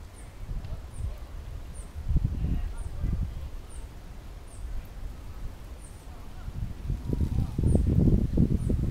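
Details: A free Bananaquit sings from a tree, giving a series of faint, high, sharp downslurred notes at a fairly even pace, while low thumping and rumbling noise swells near the end.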